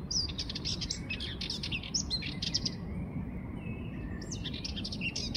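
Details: A Sardinian warbler sings at 5:29 in the morning on 6 June 2024, a fast, scratchy chatter of high notes in quick bursts over a steady low rumble of background noise.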